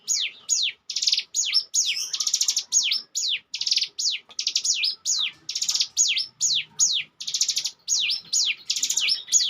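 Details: Bar-winged prinia, lure bird, singing ngebren: short high buzzy trills each followed by a steep falling whistle, repeated roughly twice a second with clean pauses between phrases.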